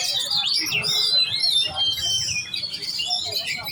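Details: Kacer, or oriental magpie-robin, singing in competition-ready giras style: rapid, shifting sequence of sharp whistles and slurred high notes packed closely together with little pause.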